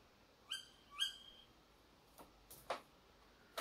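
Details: Tawny owl calling behind a house at 4 a.m.: two sharp, shrill upslurred notes half a second apart, followed by several brief dry clicks or knocks.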